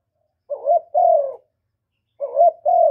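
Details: Spotted dove cooing, used to excite freshly caught doves: two husky two-part phrases, a quick rising syllable then a longer flat, slightly falling coo, about a second and a half apart in silence.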